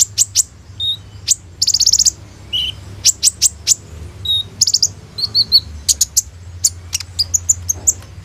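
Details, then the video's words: Sunbird (kolibri ninja) delivering busy gacor song as a training lure, shot on an Oppo A37f: sharp high chips mixed with a buzzy rattle, lower slurred whistles and repeated bright notes, with a faint hum underneath. "SUARA BURUNG KOLIBRI NINJA GACOR FULL ISIAN TEMBAKAN MEWAH"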